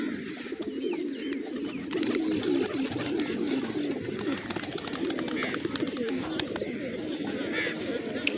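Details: Several hungry pigeons feeding on grain in a village in the morning give low, throaty, rolling coos that overlap continuously, with faint clicks and rustling and a few thin higher chirps in the background.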